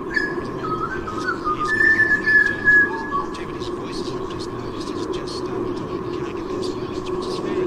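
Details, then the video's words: White-bellied sea eagle chicks in Sydney, whose mother has not yet brought breakfast, give thin, high, drawn-out whistles for a couple of seconds over a steady wind-like rush and low hum. "Mama nie przyniosła śniadania ~ Bieliki Białobrzuche"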